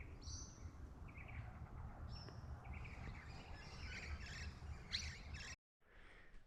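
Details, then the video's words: Fuscous honeyeater calling from the treetops in woodland of a travelling stock reserve near Barraba, NSW, where little lorikeets were feeding, with short, high whistled notes and lower chattering phrases, over steady wind rumble and a brief cut near the end. "You can hear those Fuscus honeyeaters up here. That's the one calling up here. So yeah,"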